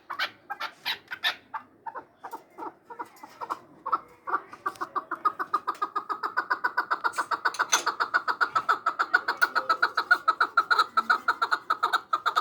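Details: Chukar partridge in Samarkand starting with scattered sharp chuk notes that speed up into a fast, steady, rattling chatter of repeated clucks lasting several seconds, growing louder toward the end.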